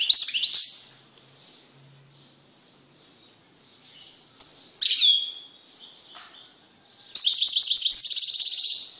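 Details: Caged male European goldfinch, Carduelis carduelis, singing strongly after being separated from a female canary he had mated with; high twittering song with bright chirps, buzzy trills and a rapid rattling run near the end.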